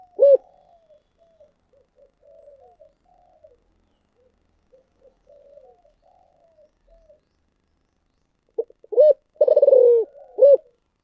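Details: Spotted dove in the thổ sấm voice with thúc gù cooing. One sharp coo opens the clip, followed by about eight seconds of faint, scattered murmuring notes. Then comes a loud phrase of two short coos, a rolling stuttered coo and a final clipped coo.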